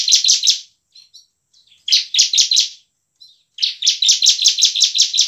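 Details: Bar-winged prinia song, used as a lure to make lazy birds sing: rapid bursts of high, sharp, buzzy notes, each burst of three to eight notes, with short quiet gaps between them.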